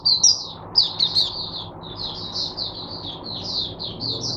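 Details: Caged mata puteh, the oriental white-eye, used as teacher bird for other white-eyes, Sunday 22 January 2022: a few sharp high accents, then a smooth chain of slurred, high-pitched warbled notes.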